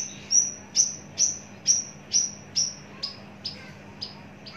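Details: Javan bush lark kept long in a cage gives loud, evenly spaced high whistles that slur downward, about two a second, fading to softer notes toward the end.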